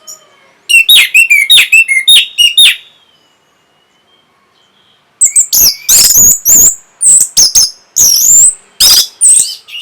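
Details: Orange-headed thrush in full song, played to stir breeding condition and draw replies: a rapid burst of crisp chipping notes, a pause of about two seconds, then loud varied whistles and sharp chips mixed.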